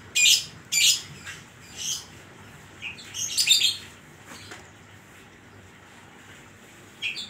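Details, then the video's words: Kacer, the Oriental magpie-robin, singing actively in the isian koslet style: a series of loud rasping phrases mixed with short whistled notes, irregular and bunched, followed by a quiet stretch and a final short chirp. "burung kacer gacor isian koslet"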